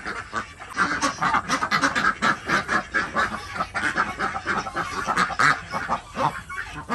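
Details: Village-farm desi ducks in Andhra Pradesh calling during morning egg collection; loud, reedy quacks tumble over each other from several birds without pause.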